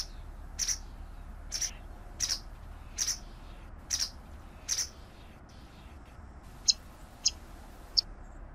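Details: A steady series of single high chirps from a white wagtail, about one every seventh-tenths of a second, then three sharper, clipped notes at the end. Soft low background noise.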